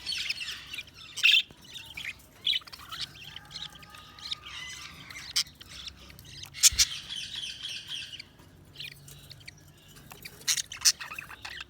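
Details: Budgerigars keep up a dense, low-level warbling chatter with scattered sharper chirps and a brief buzzy rattle midway.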